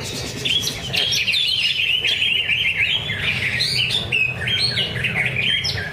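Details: A greater green leafbird at a bird-singing practice contest at Danau Bumi Restu, Cikunir, Indonesia, sings a loud, rapid, unbroken stream of varied high whistles and chattering phrases.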